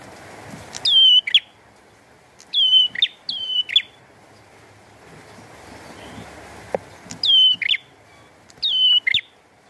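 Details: Bar-winged prinia singing hard with rain: clusters of bright, sliding whistled notes with buzzy endings, given in pairs and threes separated by short pauses, over a low rushing hiss.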